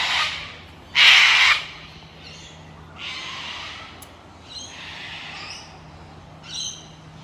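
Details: A group of Australian cockatoos gives harsh, raucous screeches: two loud bursts in the first seconds, then a string of fainter squawks from birds farther off.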